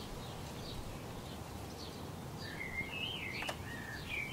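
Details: European robin eating on a branch, filmed 26 February 2020: after quiet faint notes, a run of high, twisting whistled trills rises and falls in quick succession, with a brief click and constant low background hum.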